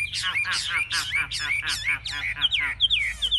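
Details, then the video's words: Chinese hwamei in a cage, displaying wings high and tail open: fast repeated phrases, each a scratchy burst ending in a clear upslurred whistle, coming about three per second. "Họa mi chơi cánh cao đuôi xòe"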